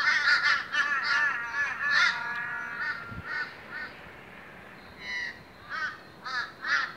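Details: Very boisterous Australian ravens at a morning gathering, giving series of nasal, harmonic 'aah' calls in quick runs, a drawn-out descending note, then spaced single calls from several birds near and farther off.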